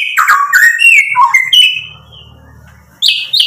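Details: White-rumped shama song loaded with varied filler phrases, aimed at angering a rival: sweet rising and falling whistles packed close together, a faint low hum during a brief lull, then sharp high notes return.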